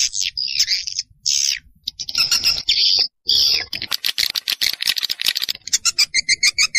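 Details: Swiftlet lure sound for attracting swiftlets: drawn-out buzzy chirps separated by short gaps, then rapid clicking pulses ending in crisp repeated ticks.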